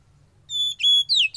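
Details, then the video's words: Captive young forest-caught Oriental magpie-robin in sauna therapy delivers a brief loud phrase: a pure steady whistle, a stronger level whistle, then a swooping downward slur. "Terapi Sauna Kacer Muda Hutan"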